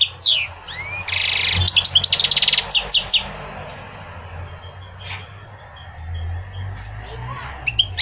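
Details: Goldfinch song, played to motivate males to sing and teach young goldfinches: liquid twittering with buzzy, rapidly trilled notes and quick down-slurred whistles in the first three seconds, then quieter scattered chirps over a low steady hum.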